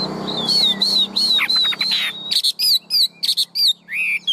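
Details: Tame caged Chinese hwamei, large-bodied, giving high sustained whistled notes repeated about twice a second, a brief rattling burst, then crisp ringing notes and a rising-falling whistle.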